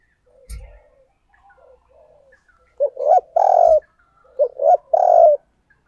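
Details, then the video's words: Decoy spotted dove calling wild doves: faint soft murmurs at first, then two loud low coo phrases, each a pair of short hoots leading into a longer drawn note. "Chim Cu Mồi Thúc Gù Gáy Gọi/ Tiếng Chim Cu Gáy Kích Bổi"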